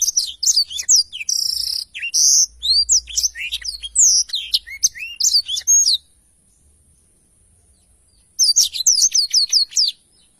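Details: Black-throated canary singing in a lively 'gacor' style used as a tutor recording for training songbirds: rapid high whistled and swept notes with short buzzy trills, a pause of about two seconds, then another burst of quick rising whistles.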